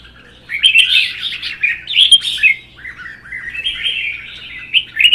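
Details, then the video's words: Red-whiskered bulbul in a provoked singing duel, kept in captivity: a loud run of liquid, bouncing warbled notes for most of the clip, then a softer lilting phrase and a sharp rising note at the close. "CHÀO MÀO | Hót đấu kích ché"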